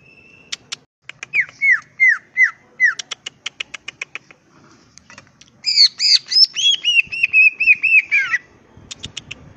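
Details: Greater green leafbird in full filler-phrase song, ngentrok style, crest up: four downslurred whistles repeated about every half second, sharp chips, then a loud run of rising and falling whistled notes.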